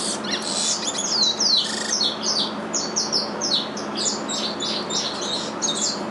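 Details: Two young captive-bred curiós sing the regional song of Curitiba learned from their father. Dense, overlapping high chirps and squeaky notes form a busy, continuous chatter over faint room noise.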